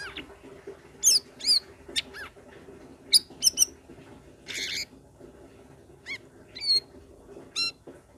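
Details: Sooty-headed bulbul, a cage bird whose song is played to prompt other cage birds to sing: short, sharp, slurred whistled chirps in scattered bursts, some rising and some falling, over a steady low background hum.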